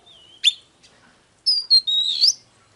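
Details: Oriental magpie-robin singing, recording used to excite birds into song and fighting: a brief whistle, a sharp note, then a loud run of clear whistled notes rising toward the end.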